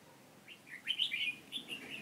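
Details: Red-whiskered bulbul used as a trap decoy to call wild rivals in Hòa Bình, Vietnam, 18 November 2017, gives one short, rich phrase of quick rising and falling whistled notes ending in a chatter.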